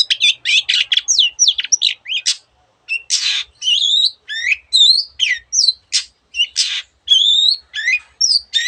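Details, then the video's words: Cendet, the long-tailed shrike, pouring out a mimicking song: fast chattering chips, then harsh scraping bursts and clear looping whistles, phrases repeated with short pauses. "cendet gacor masteran untuk burung yang susah bunyi banyak varian suara burung lainya"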